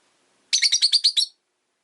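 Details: Rosy-faced lovebird on a relaxed afternoon, giving a quick run of about seven sharp, bright chirps packed into under a second, then silence.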